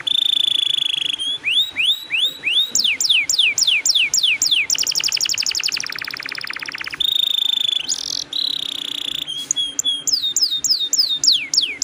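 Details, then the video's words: Long-rolling canary song used to stimulate other canaries: rising and falling high whistled sweeps alternate with steady tones and a rapid rattling trill, then more upward-sweeping whistles. "PANCINGAN KENARI GACOR NGEROLL PANJANG"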